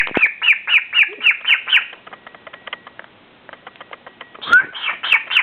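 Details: A pet male cockatiel dancing coyly for the bird in his mirror gives a rapid run of harsh, chirping calls, then a brief pause and a rising whistle.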